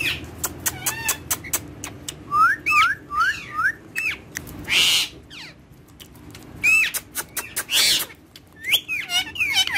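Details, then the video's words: Indian ringneck parakeets kept as pets, playing on a table and said to speak Urdu and Hindi; rapid clicks and tongue ticks mixed with short looping whistled phrases and a few loud bursts, in an indoor room. "Ringneck Talking Parrots Speaking In Urdu Hindi"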